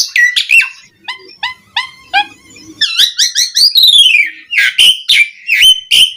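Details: Asian pied starling song played to provoke rival starlings into singing: a row of evenly spaced harmonic whistles, then a rapid clicking chatter and loud upswept whistled phrases.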